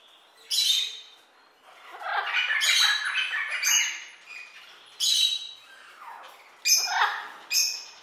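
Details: Toucan giving harsh, broadband squawks in irregular bursts, about six loud outbursts in eight seconds with rougher croaking notes between them, in a quiet setting.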